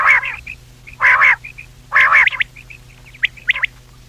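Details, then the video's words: Common quail calling for hunting use: harsh triple-pulsed notes roughly every second, followed by faint short chirps, over a constant low hum. "quail voice for hunting | Batair ki awaz Raat | common quail voice"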